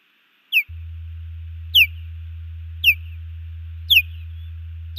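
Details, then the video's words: Female osprey at a nest in Hellgate Canyon, Missoula, Montana, calling on 15 June 2019 while her mate defends against an intruding male osprey: sharp, high, downslurred whistled chirps repeated about once a second over a steady low electrical hum. "Male Osprey flying over Hellgate while Louis defends and Iris calls"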